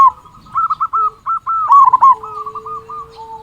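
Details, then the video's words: Local zebra dove, described as a loud, strong-voiced singer and used as a lure to make other doves sing quickly: clipped, rapidly stuttered cooing notes in a steady run, with a softer low sustained tone underneath. "Perkutut Lokal Gacor Suara Besar Pancingan Burung Perkutut Agar Cepat Bunyi."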